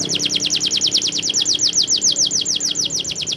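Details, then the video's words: Canary in rolling song: a fast, steady run of bright downslurred notes repeated about three to four times a second, high and metallic, with light background hiss. "suara burung kenari ngerolll super gacor"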